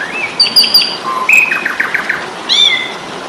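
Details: Asian pied starling singing a fighting-style tutor song for songbirds: mixed whistles, a low short note, a burst of rapid chattering trills and a final squeaky falling call.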